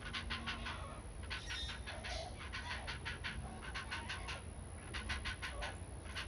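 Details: Great blue heron chick begging its mother for food with rapid, harsh clacking notes in quick bursts, lunging at her neck or bill, the cries changing. Brief pauses between runs, over a low rumble of wind or background noise.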